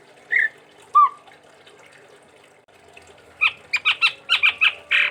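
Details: Chestnut-rumped babbler from Sumatra, kept as a cage bird: two clear whistled slurs, a pause, then a rapid run of about eight sharp chattering notes.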